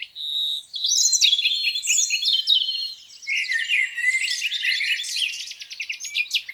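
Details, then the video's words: Birds singing beside a lake on a spring morning, a steady whistle giving way to tumbling chirps and rapid rattling trills. "Singing birds, beautiful lake view on a spring morning."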